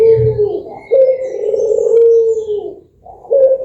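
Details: Barbary dove song used to lure other birds into singing: long, smooth, low cooing notes that slide gently downward, one drawn-out coo followed by the start of another after a brief pause.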